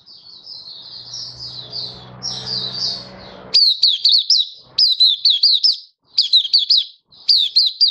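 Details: Malaysian white-eye, a kept songbird, singing in Singapore on a stable, warm, sunny day, 20 March 2023. A soft, faint warble with background noise gives way to loud, high, sharply up-and-down slurred notes in quick bursts.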